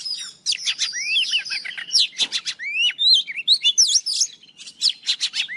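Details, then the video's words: Morning singing by an old wild Oriental magpie-robin, a recording meant for luring birds. Energetic, continuous phrases of ringing whistles, V-shaped slurs and rattling trills run almost without pause over a low background hum. "Tiếng chòe than già rừng hót buổi sáng cực hay"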